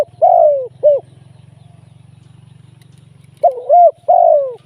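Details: Spotted dove used as a live decoy bird for trapping, cooing: two loud, mellow coo phrases of short notes and a longer falling coo, separated by a three-second pause filled by a steady low buzzing hum.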